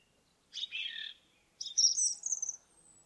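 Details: Indigo bunting song in a forest: a burst of clustered, buzzy, descending notes, then a higher, brighter phrase of paired chirps that slides upward and ends in a thin whistle. Quiet background.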